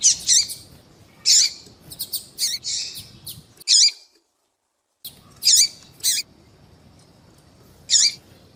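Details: A female double-collared seedeater calls to prompt a male to sing: scattered high, harsh chirps and brief buzzy notes, a clean break of silence midway, then further isolated sharp calls.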